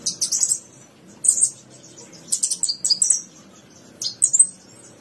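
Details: Javan bushlark song from a 2022 tutor recording for keeping bushlarks singing: short bursts of high, sharp chirps and twittering notes, in groups about every second, with gaps between phrases and faint low background hum.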